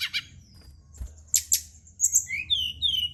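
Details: Brown-chested jungle flycatcher at night, used to prompt other birds to sing: a few soft chirps and sharp high notes, then clear downslurred whistles, over faint low background hum.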